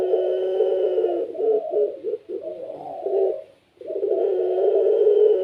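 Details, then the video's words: Kept Barbary dove of the puter pelung type, in lively gacor form that sets other doves cooing along; a sustained low coo gives way to choppy, undulating notes, a short silence, then another long, steady coo. "PUTER PELUNG SUARA GACOR||Bikin puter lain ikut bunyi."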